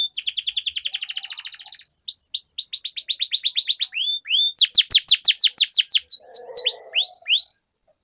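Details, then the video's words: Canary singing a long rolling song used as a lure to get other canaries singing: a fast buzzy trill of high notes, then runs of sharply downslurred whistles repeated about three per second, a brief low rasp near the end. "Suara Pancingan Burung Kenari Agar Cepat Gacor dan Ngerol, Masteran Suara Kenari Ngeroll Panjang"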